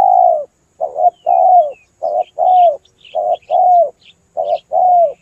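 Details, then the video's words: Spotted dove cooing steadily on a trapping lure recording: a run of paired phrases, a brief rolling note followed by a drawn-out, gently falling coo, about one pair per second, with faint high twitters in the background. "Pikat burung TEKUKUR gacor"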